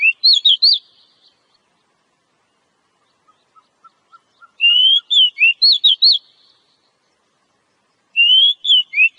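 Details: Oriental magpie-robin from the wild, a fighter bird with ngobra-style singing: a repeated phrase of rapid looping whistles, given three times, with faint low ticking notes in the gap between phrases.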